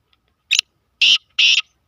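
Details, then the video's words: Black francolin (kala tetar) calling: harsh, grating, noisy notes in a short series, one brief note then two longer rasping bursts about half a second apart, with a fourth starting at the end; quiet background. "kala tetar ki awaz- black francolin voice"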